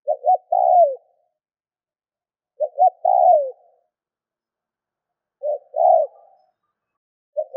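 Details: Spotted dove coos intended to trigger calling in other doves: three complete phrases about two and a half seconds apart and a fourth just beginning, each two brief notes then a longer downslurred coo, silent between.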